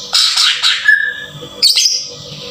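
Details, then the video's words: Green leafbird singing, played as a lure to stir up emotion and trigger song, rough 'tembakan kasar' delivery: harsh rapid chattering notes, a thin level whistle, then a short high buzzy flourish. "PANCINGAN PENDONGKRAK EMOSI CUCAK IJO TEMBAKAN KASAR"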